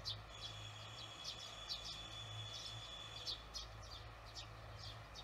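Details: Barn swallows twittering at evening time on June 18, 2020; brief bright chirps repeated in quick clusters, with a continuous high tone and a low humming rumble beneath.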